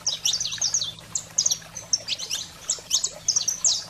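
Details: Saffron finch singing, used to excite pet canaries into song; bright high chirps in short clustered bursts separated by brief pauses, some notes sliding down, over a faint constant low hum.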